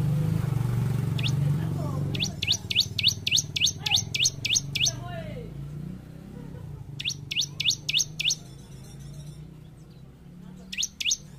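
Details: Bar-winged prinia (ciblek), gacor, used to train caged group-kept birds: series of fast, high, rising chirps in runs of six to eight, over a steady loud low rumble and voices.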